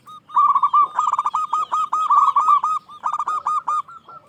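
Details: Local zebra dove with a big, ringing voice, singing to stir rivals into answering: a long sequence of rapid, clipped, mid-pitched coos delivered in quick rolling bursts, broken by brief pauses, with no other clear sounds.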